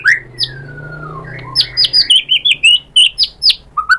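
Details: White-rumped shama, used to provoke a bird into singing: a long falling whistle, then rapid clear whistled and chirping notes at varied pitch, loud and repeated about twice a second.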